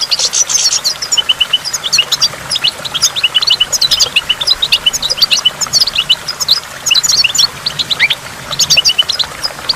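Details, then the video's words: Twittering goldfinch song beside a waterfall with water drops: bright, rapid high notes and buzzy trills in long unbroken runs, with a brief pause near the middle, over faint background noise. "in the waterfall stimulates goldfinch and water drops"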